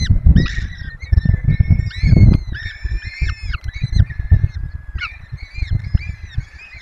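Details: Webcam nest of peregrine falcons in Poland's Barycz Valley at feeding time for four chicks: a run of stretched, harmonic wails and shorter choppy calls, with strong low rumbling and thuds underneath.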